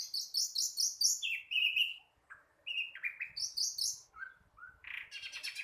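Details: Juvenile flycatcher practising song: quick bursts of high, rattling chirps alternate with lower sliding whistled notes, ending in a short buzzy flourish, with brief gaps between phrases.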